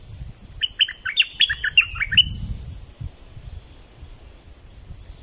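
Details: Streak-eared bulbul from southern Thailand singing a quick burst of short, bubbly whistled notes that jump up and down, about seven notes over under two seconds, with a steady high insect hiss and low rumble behind.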